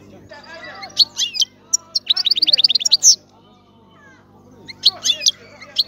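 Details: European goldfinch twittering over a steady low hum, with short chirp clusters and one rapid run of repeated high notes in the middle, separated by quieter stretches.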